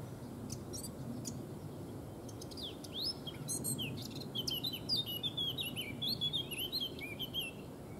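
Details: Eurasian Blackcap in song behind a foraging White Stork at Neerijnen, the Netherlands; a few scattered ticks give way to a rapid, rich warble that swells into clear, fluty phrases during its second half, with steady low outdoor noise underneath.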